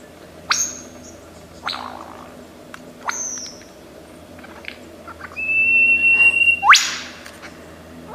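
Lyrebird mimicry: sharp clicks and snapping sweeps, then a long steady high whistle ending in a steep upward zip. A low steady hum runs underneath.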